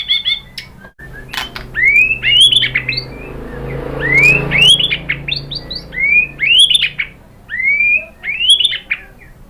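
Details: White-rumped shama singing a lure song meant to make another bird respond: loud, clear whistled phrases that rise and then break, repeated every second or so with short pauses, plus scattered sharp clicks.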